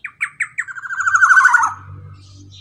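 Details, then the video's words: Black-naped oriole, a male kepodang, giving a long ropel for prompting quiet cage birds to sing: several sharp separate notes speed into a dense, harsh, buzzy roll that swells and then drops away, with a faint hum below. "KEPODANG ROPEEELL PANJANG"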